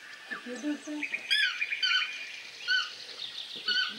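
A toucan gives harsh, nasal squawks in short bursts, roughly once a second, with a thin steady whine and faint murmuring voices early on.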